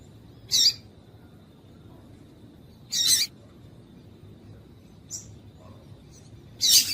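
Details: Female double-collared seedeater giving short, high, buzzy call notes meant to set males singing. The notes come every two to three seconds, with one fainter and shorter, over a steady faint hum.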